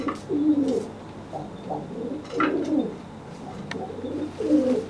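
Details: Pigeon cooing at a wet pigeon that cannot fly after bathing, puffing itself up to look bigger as a threat; low throaty rolling coos, about four phrases in five seconds, indoors with faint clicks.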